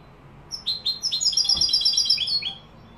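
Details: European goldfinch in Morocco delivering Malaga-style song: a few rising chirps lead into a quick, bright, rattling twitter of many repeated high notes, ending on lower slurred notes.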